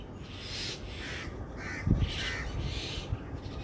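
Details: A family of mynas in a garden in India give harsh, scratchy calls in short bursts about every half second, over steady low rumbling background noise and a brief thump.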